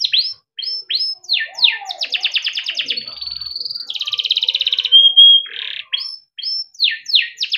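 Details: Long-singing caged yellow canary, cuit-cuit ngerol style, used as masteran for young canaries: sweeping slurred notes, dense rattling trills, a brief pure whistle, then more sweeps; faint low background sounds.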